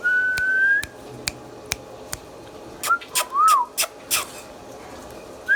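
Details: Captive Indian ringneck parrot: a long steady whistle rising slightly, then dry clicking taps and a short arched whistled note, with another whistle starting at the close.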